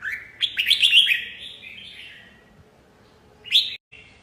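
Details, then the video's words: Warbled phrase from a red-whiskered bulbul: a rapid string of rising chirps fading into a trailing note, a quiet gap, then one loud upswept whistle. "TIẾNG CHIM CHÀO MÀO HÓT"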